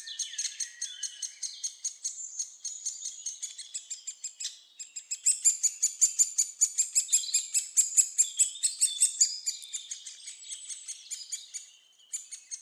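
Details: Great spotted woodpecker nestlings being fed at Staverden in the Netherlands, giving a loud, excited stream of high, shrill, rasping chirps, about two and a half per second, with a thinner lower whine at the start and a brief lull midway.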